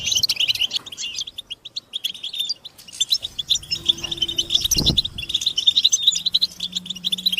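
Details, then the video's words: European goldfinches giving mating and readiness calls meant to set captive males singing: bursts of high, jingling twitter, a brief lull, a dull knock, then the busy chirping resumes alongside a faint low hum. "بتبتة الحسون تحفيز الحسون على التغريد والهيجان علاج صمت الحسون goldfinch stimulation"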